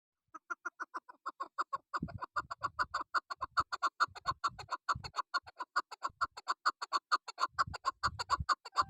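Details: Female chukar partridge calling: a long, steady series of short clucking notes, a little over two per second, building gradually in loudness, with soft low thumps in the background.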